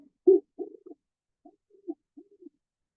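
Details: Great horned owl: a series of soft, low hoots, one stronger hoot followed by several quieter, spaced hoots over about two seconds, in otherwise silent surroundings.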